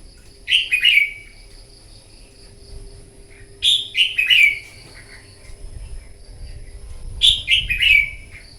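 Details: Red-whiskered bulbul, a wild-caught bird, sings competitively in the morning. Three brisk whistled phrases, each about a second long with quick falling notes, repeat roughly every three and a half seconds over a faint constant high hum.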